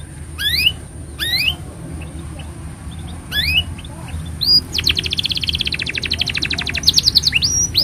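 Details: Canary singing at length for training young canaries and coaxing mute ones to sing. Three separate rising whistled phrases with pauses lead into a long, fast, even rattling trill of about three seconds, ending in bright slurred notes.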